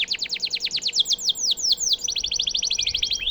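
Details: Canary song used as a model for training White-rumped shamas: a rapid run of about twenty sharp, downward-sweeping chips, then a tighter, faster trill at the end, over a faint low hum.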